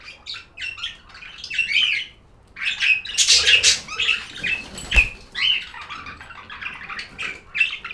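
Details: Budgerigar chirping: a busy stream of short scratchy chirps, squawks and warbled notes, louder in the middle, with a sharp click and brief pauses between chattering runs.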